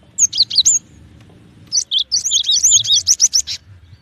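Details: Cinereous tit uttering quick high chirps, then a longer fast run of bright slurred whistles after a pause of about a second.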